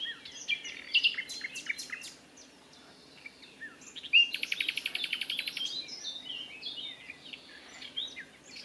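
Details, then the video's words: Common nightingale in song from thick scrubland at the Wiekense Gat, 22 May 2022; varied sharp whistles and chirps, a short pause, then a loud rapid buzzing trill followed by scattered high notes, with soft background noise. "Zingende nachtegaal"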